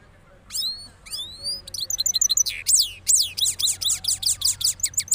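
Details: Moulted cross goldfinch from Parachinar giving its rolling song. It opens with two rising whistled slurs, then speeds into fast repeated chattering and trilled phrases that build to a loud, jangling run.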